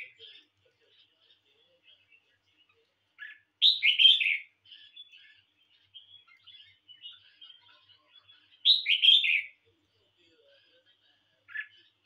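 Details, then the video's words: Home-kept red-whiskered bulbul in a singing contest delivers two loud, rich warbled phrases about five seconds apart, with quiet twittering and chatter filling the gaps. "Chào mào nhà ₫ấu"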